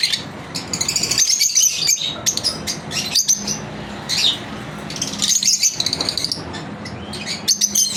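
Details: Lovebirds chirping as part of a daily routine, uneven bursts of high twittering and squeaks separated by short quieter gaps, with a low background hum.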